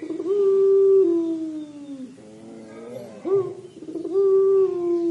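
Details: Crying coo of a puter pelung dove: a long, steady, mournful tone that sinks gradually, a short dip, a quick rising note, then another long sustained moan.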